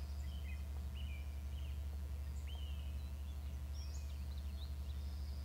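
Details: Bald eagle in the nest giving calls: faint, high piping whistles, several sliding down in pitch, scattered through a few seconds against a constant deep hum.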